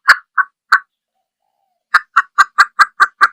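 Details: Junglefowl hen calling with brief clucks, three spaced notes, a pause of over a second, then a quicker run of seven clucks.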